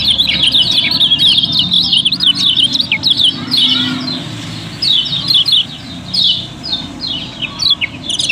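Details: Caged yellow-bellied prinia from Lombok used as a singing lure for other birds, pouring out a dense, busy stream of sharp, high chirps and flicking notes almost without pause, over faint low background rumble.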